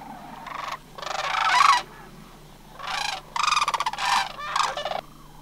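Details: Sandhill cranes from a flock of about 100 in Homer, migrating in September 2009. Loud rolling, rattling calls come in overlapping bursts, five or six in about five seconds, with a steady low hum behind them.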